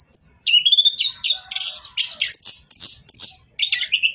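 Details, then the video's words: An Orange-headed thrush sings a fast, varied run of high whistles, rising slurs and buzzy trills, with phrases tumbling one after another and barely a pause, over background music. "BURUNG ANIS KEMBANG BOCOORRR"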